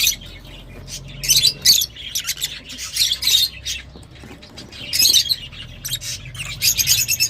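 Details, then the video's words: Lovebirds giving sharp, high, scratchy squawks in bursts of rapid notes, separated by short quieter gaps, with a faint low hum underneath. "تغريدروز/صوت روز /Love Bird Sound"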